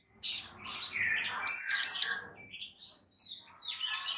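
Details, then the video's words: Bar-winged prinia, a female calling so that a male will reply, gives one pair of harsh, buzzy notes in quick succession, set among faint chirps and chatter from other birds. "Ciblek BETINA GACOR Memanggil Ciblek JANTAN Agar NYAUT GACOR"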